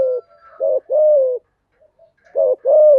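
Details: Spotted dove singing, used to train freshly caught doves: paired low coos, a brief note then a longer level coo, repeated twice with a pause between.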